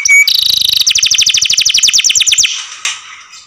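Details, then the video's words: Pet canary in full song: a brief high whistle, then a fast rolling trill of sharp repeated notes, about three per second in bursts, ending in a fading rasp. "THE MONEY OF THIS CANARI MAKES EARS ache"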